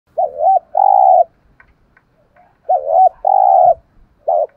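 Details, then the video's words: Spotted dove used as a decoy bird to make wild doves call quickly, with a prized 'giọng thổ' voice style. A short doubled note runs into a long steady coo. The phrase is given twice, about 2.5 seconds apart, and a third begins. "Chim Cu Mồi, cu gay giong tho cuc dinh"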